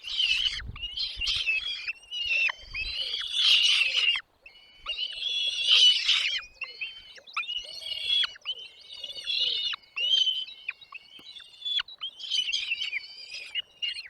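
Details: Young birds in the nest calling as the parents arrive with food: a long, uneven run of scratchy chirps and short rasping bursts mixed with thin whistled notes, with some soft rustling early on.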